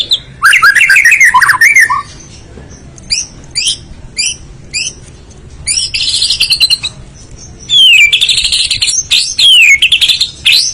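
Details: Full isian song of the murai batu, or white-rumped shama: warbling slurred whistles, then spaced sharp high chips about every half second, then a rapid chattering burst and looping whistled swoops.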